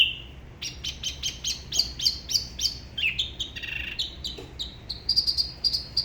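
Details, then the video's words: A Spot-throated Babbler from the La Ba river area near Đà Lạt sings solo, in a style unusual compared with other regions: a lively, high song of quick repeated notes and varied warbled phrases, with bright whistled trills near the end. "Spot-throated Babbler the best solo"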